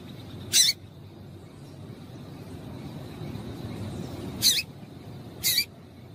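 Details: Female double-collared seedeater piping to excite a male so he sings: three brief, bright, high chips, one near the start and two close together toward the end, with steady low rumble underneath.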